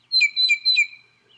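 A northern mockingbird copying a blue jay call: three quick, clear, high two-toned notes about a quarter second apart, with no other sounds.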